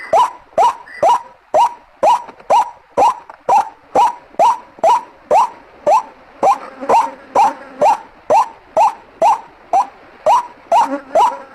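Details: White-breasted waterhen lure recording: a harsh, clipped call repeated steadily about twice a second, each note a sharp burst sliding up to a mid-pitched peak, some twenty calls in a row over a quiet background.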